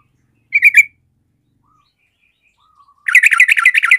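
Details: Fighter-type sooty-headed bulbul singing to rouse sluggish birds to fight: a short loud chattering phrase, near silence with faint notes, then a dense stream of harsh, bubbly chirps.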